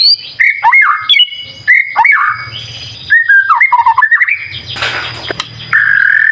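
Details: Chatty White-rumped shama lure song: loud varied whistles, downslurred notes and warbling trills, a noisy burst in the middle, ending on a long steady whistle; low hum in the background.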